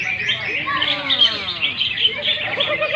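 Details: Greater green leafbirds, known locally as cucak ijo, singing at a bird singing contest; dense, rapid high chattering and warbled phrases overlap continuously from several birds, with human voices murmuring underneath.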